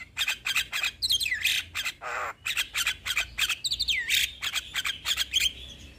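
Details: Energetic young Javan myna song used for training and provoking other myna species to sing: fast series of harsh squawks and clicks, with swooping whistled slurs and a brief rasping buzz in between.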